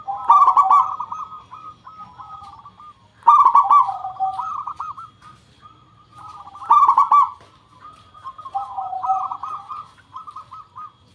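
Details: Lure song of a local zebra dove, meant to make other doves sing back. Repeated phrases come roughly every three and a half seconds, each opening with loud, rapid stuttered notes and trailing into softer, wavering coos.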